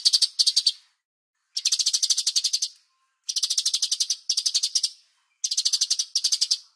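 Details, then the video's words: Songbird-training master of a bulbul: rapid, rattling high chatter delivered in bursts of about a second, with short silences between them. "MASTER CUCAK CUNGKOK Jeda Terapi Air"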